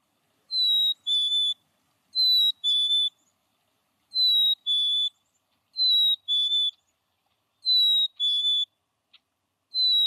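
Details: A Black-capped Chickadee, a backyard bird in Missouri, sings its clear whistled two-note song, the second note slightly lower, repeated about every two seconds against a quiet background.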